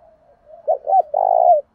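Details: Provoking call of a male spotted dove in the Thổ đồng style: soft lead-in murmur, two clipped husky notes, then one sustained vibrating coo.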